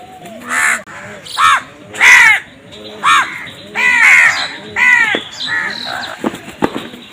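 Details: Crow giving loud, raspy caws in uneven bursts, about one each second. Soft cooing sits low in the background.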